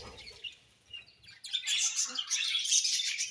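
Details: Happy budgerigar colony: quiet scattered chirps at first, then a sudden surge of loud, busy high-pitched chatter and squeaks from several birds.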